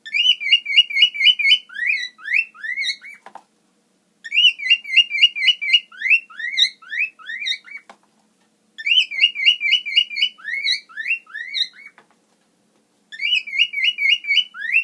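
A cockatiel whistles a clear, repeated tune of quick notes followed by rising slurred phrases.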